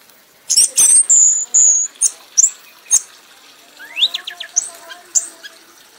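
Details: Red-whiskered bulbul, a prize-winning bird, in a frenzied, non-stop singing bout: rapid high whistles and clipped chirps, then a softer run of quick rising notes over faint background hiss.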